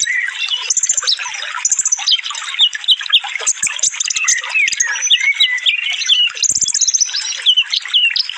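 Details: Konin sunbird, a training recording for caged songbirds: rapid, tightly packed high whistles and chirps sweeping up and down in quick bursts, with a mixed bird chorus and flowing water underneath.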